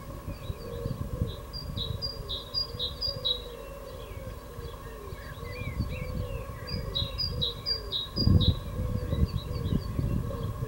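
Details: Great tit singing its evening song on 16 April 2022: two series of high, ringing two-note phrases with other birds' softer chirps and twitters, against a rumbling low background.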